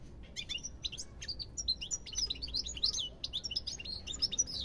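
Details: European goldfinch singing a fast, continuous twittering of high, liquid chirps and short trills with quick upward and downward sweeps, packed closely together; faint low rumble beneath.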